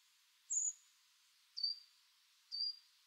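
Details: Coal tit calls, described as mostly short squeaks: three thin, very high squeaky notes, each slightly descending, spaced about one second apart against a quiet background.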